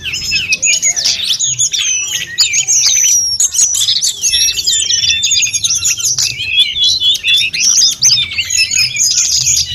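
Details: Training recording of a lively snowy-browed flycatcher: an unbroken, rapid sequence of thin high chips, trills and short whistles, loud and steady throughout.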